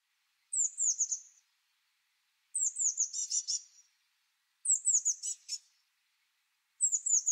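Blue Tit calls: high, thin notes followed by a quick scolding churr, repeated about every two seconds.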